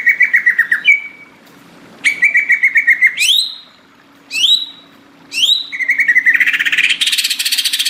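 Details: Tropical forest greater green leafbird in full song: rapid stuttering whistled phrases, sharp notes sweeping steeply down from high pitch, repeated in bursts with short pauses, closing in a thick buzzy rattle; constant low hum present.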